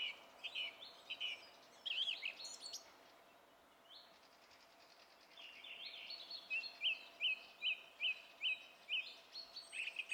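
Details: Song thrush singing on 27 April 2016: varied whistled and scratchy phrases, a brief quiet gap, then a flicked note hammered out six times in a regular series, with more phrases after.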